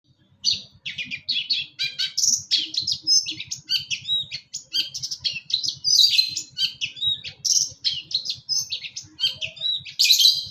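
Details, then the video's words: Long-tailed shrike from East Java, Indonesia, singing actively in gacor style with a full isian repertoire: dense, rapid run of chattering, scratchy high notes and short whistled phrases packed together with hardly a pause for ten seconds. "pentet gacor | cendet gacor full isian"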